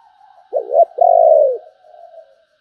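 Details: Spotted dove delivering one deep 'sấm bầu' cooing phrase, a quick wavering note then a sustained falling coo, trailed by soft quiet murmuring notes.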